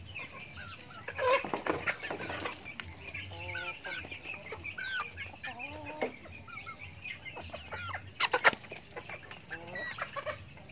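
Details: Backyard farm chickens feeding during their daily routine, a mix of short clucks, low tonal stacked calls and scattered higher squawks from several birds, with clattering and scratching noises throughout.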